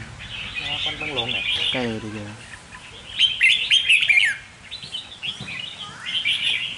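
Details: A man talks for the first two seconds, then a red-whiskered bulbul used as a decoy bird bursts into loud, rapid, twittering warbled phrases that rise and fall.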